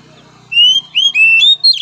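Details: Oriental magpie-robin whistling, used to train a weak-spirited bird: three long, clear rising whistles in quick succession, ending in a short buzzy note, over a low steady hum.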